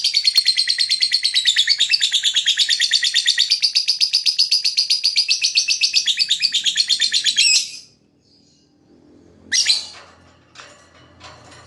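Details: Long, rapid high-pitched chatter from a lovebird lasting over seven seconds, then quiet with a few scattered harsh notes; the chirping serves to attract other birds.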